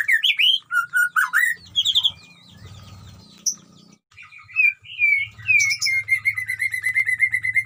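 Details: White-rumped shama kept in a colony cage at a breeding farm: loud slurred whistles and rapid warbles, then a quieter rustling stretch, followed by a run of repeated sweet whistled notes.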